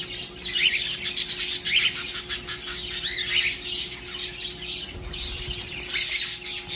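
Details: Pet birds at home, cheerful after waking up in the morning, give a busy chorus of high, rapid chirps and short squawky notes in bursts, over a constant low electrical hum.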